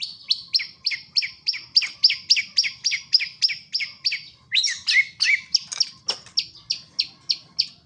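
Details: Wild songbird singing steadily: bright, high chirped notes repeated about three times a second, a brief burst of more varied twittering midway, then the even chirping resumes, with faint low rustling beneath.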